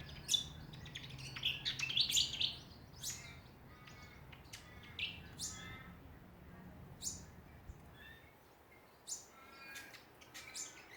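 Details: Backyard chorus of Australian songbirds in Ballajura, Western Australia: a dense warbling burst early on, then sharp, high chirps spaced irregularly every second or two, over a faint low hum.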